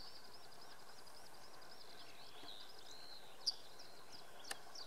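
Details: Yellowhammer at dawn on a cold Saturday in Oksywie: a faint, high run of quick repeated notes over steady low rumbling background noise, with a couple of sharp clicks near the end.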